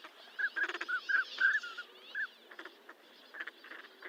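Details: Northern pintail calling in a rapid series of brief whistled notes, some slightly rising or doubled. The series fades after about two seconds, leaving a faint background of other birds' chatter.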